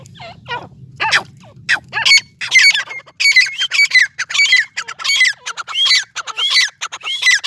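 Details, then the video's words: Dakhni and Irani teetar partridges in a fight give quick, repeated squawking calls with rising, hooked notes, about one and a half per second, over a low rumble early on. "Dakhni teetar vs Erani teetar ki Ladai | best teetar | teetar ki awaze"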